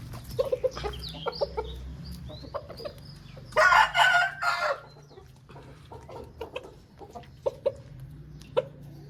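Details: A single rough, broken crow from an Aseel rooster, surrounded by short sharp clucks and a few high chirps from other birds, over low-pitched background rumble.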